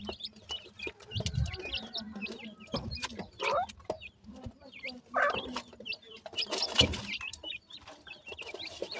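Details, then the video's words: Grey francolin chicks call with clear, sweet upward-flicking peeps in quick runs, while low thumps and brief noisy bursts break in between. "grey francolin chicks speech,sweet voice of a baby pheasant"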